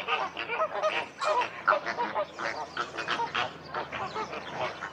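Flamingos clamor in a dense flock, overlapping nasal, goose-like honks and grunts coming several times a second without pause.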